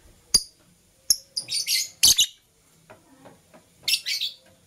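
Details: Morning chirping from green and blue masked lovebirds: sharp single clicks, then rapid squeaky chirp bursts, a short pause with faint ticks, and another shrill, rasping flurry near the end.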